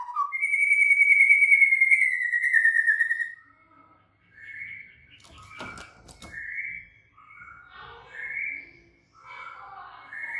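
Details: White-rumped shama: a long, bright, slightly falling whistle, then quieter, varied warbled phrases and short whistles with some clicking noise.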